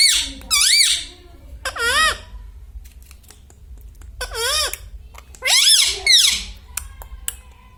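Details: Pet parrot talking indoors; the bird is said to say words such as mummy, papa and radhe radhe. Four bursts of high, nasal, wavering speech-like syllables with swooping pitch, separated by quiet pauses and faint clicks.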